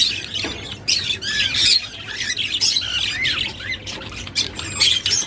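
Budgerigars chatter in a busy stream of high squawks, chirps and rising warbled notes.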